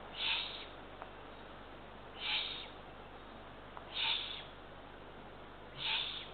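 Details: Eurasian eagle-owl chicks, one of three ringed nestlings, at a nest in Estonia around half past midnight on 23 June 2023 as a parent delivers two small rodents; four harsh, raspy hissing bursts come about every two seconds over a steady low hum.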